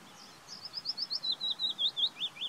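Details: Willow warbler singing a soft, falling phrase of roughly fifteen clear whistled notes, each a brief slurred swoop, the series easing downward in pitch over two seconds; surroundings otherwise quiet.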